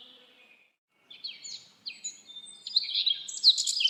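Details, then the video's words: In a forest, thin high notes fade out, then after a short silence birds build into quick whistled chirps and trills, becoming dense and loud toward the end. "Birds singing // Forest of birds"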